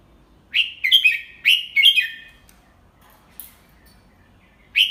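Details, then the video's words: Red-whiskered bulbul teacher bird singing a 'double three' style song slowly and clearly so young birds can copy it: a burst of warbled whistled notes of about four rising-falling phrases, a pause, then another phrase begins. "เสียงนกกรงหัวจุก ใช้สินก็อปเสียงลูกนกได้"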